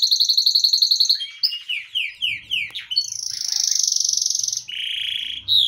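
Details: Yellow Belgian canary pet singing energetically: a fast pulsed trill, then a run of descending slurred whistles, followed by long sustained buzzy rolls at high then lower pitch.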